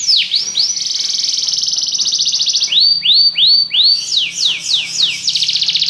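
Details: Belgian canary singing varied phrases: swooping slurred notes, a sustained rapid high trill, then repeated rising-falling notes and another trill.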